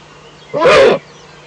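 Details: Eurasian eagle-owl at its Eifel nest at dawn, 05:40 on 17 May 2013, another owl visiting off camera: a single loud, harsh, rasping call of about half a second, with faint background birdsong.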